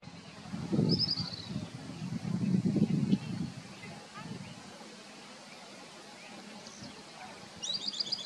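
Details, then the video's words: Southern beardless-tyrannulet singing in Juquery State Park, São Paulo State, Brazil, in September 2022. Two short series of quick, high, slightly descending whistled notes, one near the start and one at the end. A man talks loudly over the first half. "Southern Beardless-Tyrannulet singing"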